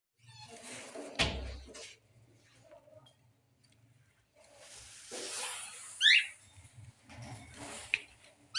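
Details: Parrot behaving aggressively, giving sharp, bright, rising squawks near the end, each brief and piercing, set against rustling, knocks and handling noise in a small indoor space.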